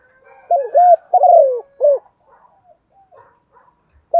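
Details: A spotted dove decoy gives its morning flock-calling coo: two brief wavering notes, a longer coo sliding downward and a short closing note, then quiet with faint distant chirps before another coo begins.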